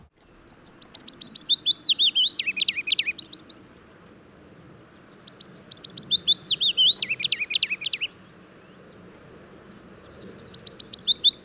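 Willow Warbler singing three soft, sweet phrases that run down the scale, each about three seconds long, with a low rumble of background noise.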